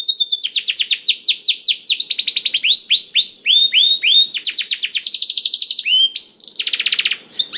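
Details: A black-throated canary (Crithagra atrogularis) sings a rapid, continuous high song of swooping whistles, trills and buzzy phrases, several notes a second with no pauses, used as a lure to get canaries singing.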